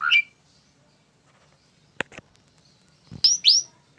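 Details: Tame Asian pied starling making scattered short chirps and two upslurred whistled notes near the end, with a couple of dry clicks in between.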